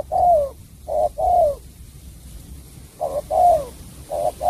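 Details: Spotted dove from Cà Mau, Vietnam, singing in the style keepers call "sắm bầu bạch đề": soft, low hooting coos in grouped phrases, a short doubled coo followed by a longer falling coo, repeated after brief pauses.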